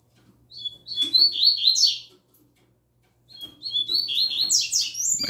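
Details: Double-collared seedeater in captivity, among other birds singing together, sings two high, rapid warbled phrases separated by a short gap. Each phrase slurs downward, then turns into buzzy, rising trills.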